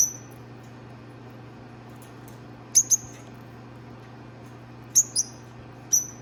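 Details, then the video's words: A pet pair of peach-faced lovebirds; sharp high double chirps, several sets spaced a couple of seconds apart, over constant low humming background noise. "Peach-faced Lovebird Singing & Chirping Sounds"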